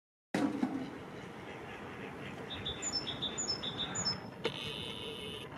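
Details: Two mallard drakes courting a female at Willersinnweiher lake in Ludwigshafen, Germany, give a quick series of about eight short, high, thin whistles over roughly two seconds, against a steady rushing background hiss.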